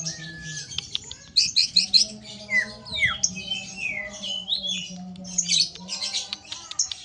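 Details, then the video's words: Greater green leafbird singing harsh rapid phrases, kept as a caged songbird: quick scratchy chatter broken by clear downslurred and rising whistles, pouring out in uneven bursts over a faint low hum. "Cucak Ijo Besetan Kasar"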